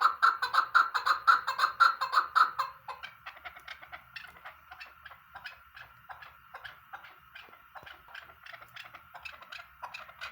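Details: Chukar partridge, or keklik, calls in fast loud chucking bursts for the first three seconds, then keeps up a quieter, looser string of clucks.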